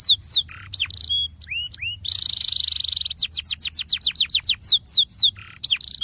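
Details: Canary singing a lure song to prompt other canaries: falling swoops, a dense buzzy roll, a regular series of downslurred notes, and a few short lower notes between phrases.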